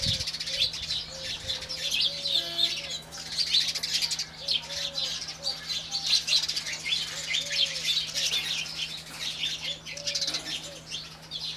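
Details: Busy morning chirping of Indian house sparrows, rapid overlapping tweets throughout, a brief wing flutter at the start, faint low whistles and a steady background hum.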